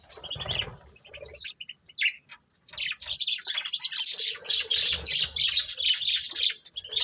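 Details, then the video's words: A group of budgerigars in lively chirping, starting with scattered squeaks and thuds, then building into a continuous rasping, warbling chatter of rapid high notes packed closely together. "Cute Budgies Chirping Sounds"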